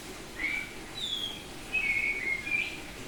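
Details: Semi-tame oriental magpie-robin, Bali variety, in open ngeplong song: separate pure whistles, one slurring downward, then a longer wavering whistled phrase, against a faint background hiss.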